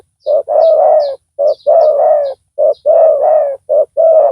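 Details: Loud decoy spotted dove calling during trapping of a rival: deep two-part coos, a brief clipped note followed by a drawn-out warbling coo, each pair close together, with faint high chirping from small birds.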